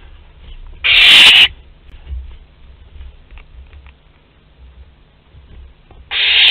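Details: Two loud, coarse hissing screeches about five seconds apart from a young barn owl visiting its parents' food store at Théding, France, 10 July 2021, with soft rustling between.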